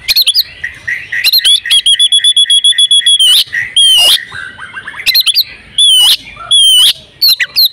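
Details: Female oriental magpie-robin in breeding condition, used to prompt males to sing: a steady whistle with rapid ticking beneath, a falling series of short notes, then separate sharp, upslurred whistles repeated at intervals.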